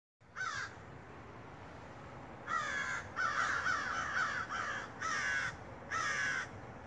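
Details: Large black crows calling outside near a home on a quiet rainy day; harsh banded caws in short bursts, one early then five more in quick succession, over steady background hiss.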